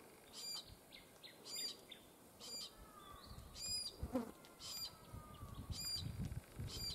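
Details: Glossy black cockatoo calls: harsh, grating notes with stacked overtones, given roughly once a second in short bursts, over faint low rumbling and a soft whistled bird note in the background.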